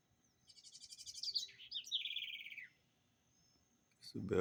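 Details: Garrincha or roxinol, the house wren, described as singing in its own distinctive way: a high rapid trill slurring down into a bright buzzy descending rattle, followed by silence and then a loud sudden human voice.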